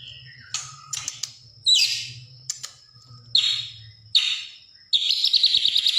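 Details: Greater green leafbird (cucak hijau) delivering 'sewing machine' fill-in song: scattered sharp high chirps and swooping notes, ending in a rapid buzzy high rattle, over a steady low hum.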